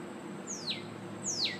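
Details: Northern cardinal singing: two clear, loud whistled notes, each sliding steeply downward from high to low pitch, about three-quarters of a second apart, over a faint steady high whine and low background hum.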